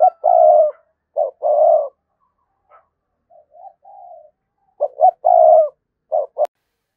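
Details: Decoy spotted dove cooing to provoke wild birds: repeated phrases of a short clipped note then a longer deep, rounded coo, with soft murmured notes between, in near silence.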